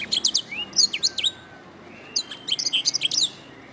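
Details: Canary song used as a master recording for training birds: bursts of high, sharp chirps and rapid trilled notes with short upward whistles, two phrases separated by a pause, little background noise.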